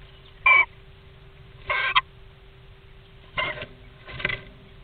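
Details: Common starling, the returning "talking female", recorded 4 April 2017 at 07:32: four short harsh, chattering bursts about a second apart, with a faint steady hum underneath.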